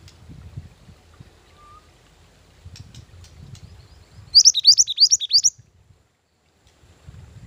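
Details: {'caption': 'Lure and training song of a mantenan gunung: after soft background rumbling, a brief loud burst of six or so bright, high chirps rising then dipping, packed into about a second.'}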